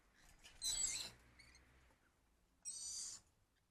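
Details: Cockatoo visiting a tree to be fed at night: two short, harsh, hissing screeches about two seconds apart, with faint rasping sounds between them and a quiet background.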